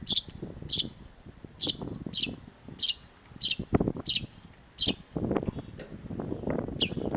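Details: Cendet (long-tailed shrike) in a cage-bird training recording: sharp high notes repeated about every half second, broken by a pause, over low rumbling background noise.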